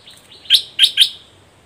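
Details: Caged decoy Red-whiskered bulbul calling to a wild bird during bird trapping, dated 21 January 2021; three short, bright chirps in quick succession, the last two close together, with faint softer notes before them.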